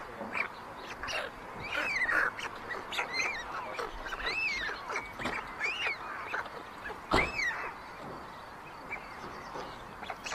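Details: Nest webcam at Ságvár, Hungary, May 2024: white stork siblings snatch food from the youngest chick. Rapid, irregular run of short rasping calls with rising-then-falling arcs, plus clatter-like clicks and steady hiss.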